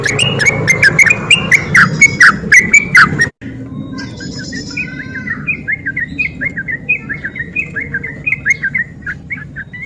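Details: Sooty-headed bulbul in lively ropel song, played to provoke idle bulbuls into singing: sharp clicking taps mixed with warbled notes at first, then a short gap, then quick rolling whistled phrases tumbling on over a low droning background.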